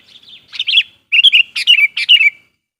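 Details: Sooty-headed bulbul singing as a lure to provoke and call in wild bulbuls: a short, soft opening phrase, then three loud, bubbly, warbled phrases that each fall slightly in pitch, clean with no background noise.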